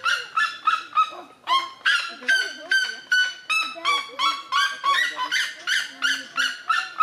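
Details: Red-legged seriema giving its territorial call to defend territory: a steady run of loud, harsh, yelping notes rich in overtones, about three per second for the whole stretch, each sharply rising then falling, with softer lower tones beneath.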